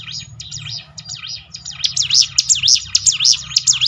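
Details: Hill prinia song for training birds to sing: soft, distant wavy whistles over a low hum, then a loud, close series of quick rising-and-falling high notes.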